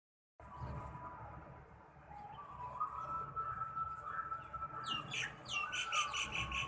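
Quick, bright sparrow chirps, repeated rapidly, stand out in the last couple of seconds. A steady hiss and a faint drawn-out tone run underneath.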